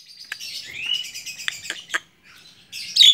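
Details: Javan myna, tame and on the hand, gives a soft buzzy warble with a rising whistle and a few sharp clicks, closing with a loud harsh burst.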